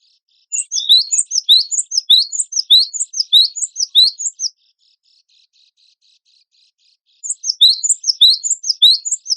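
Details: Cinereous tit (gelatik batu wingko), a competition songbird, in a training recording: a long run of quick, piercing, down-slurred chirps lasting about four seconds, a silent spell, then the run resumes.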